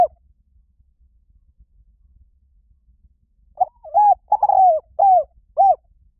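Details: Silence gives way to a spotted dove's cooing phrase: a brief double coo, a longer rough wavering note, then two clean descending hoots spaced about half a second apart.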